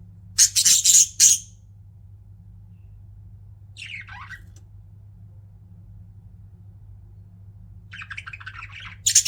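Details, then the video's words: Chirping pet budgerigars: three loud grating squawks open, then a lone descending warbled note after a pause, and later a burst of fast chattering warble leading into another harsh squawk, over a faint steady hum. "CUTE PET BUDGIES CHIRPING"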